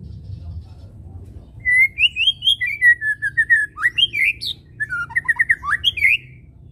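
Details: White-rumped shama song as a lure to make birds sing: after a quiet start, sweet whistled phrases, a string of repeated notes and quick varied flourishes for about five seconds.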